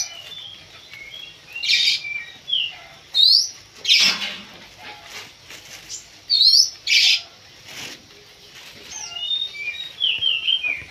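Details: Oriental magpie-robin, known locally as kacer, singing during a pacingan face-off that stirs it up. Scattered clear rising and falling whistles alternate with short rasping bursts, separated by quieter gaps.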